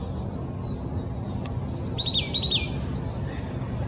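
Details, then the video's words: Oak titmouse singing in Old Torrance, Los Angeles County, California, on January 21, 2020: a single quick doubled burst of high chattering notes midway through, with soft faint calls around it and constant traffic rumble. "Oak Titmouse Song"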